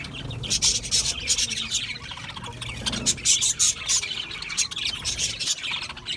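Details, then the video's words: Budgerigars chirping, a dense flock-like chatter of quick high twittering notes, squeaks and scratchy warbles pouring out almost continuously with brief pauses. "Budgie Parrots Chirping sounds"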